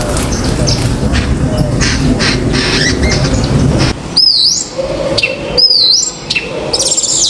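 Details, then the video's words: Common myna on a balcony: after four seconds of low rumbling traffic-like noise, loud sharp whistled calls sweep up and down steeply, given in quick pairs, with one more whistle near the end. "Myna in Balcony 🐦 | Mynah bird sound"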